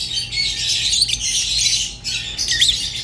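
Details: Budgerigar's scratchy chatter broken by a short gap, with a couple of sharp squeaky upturned notes toward the end.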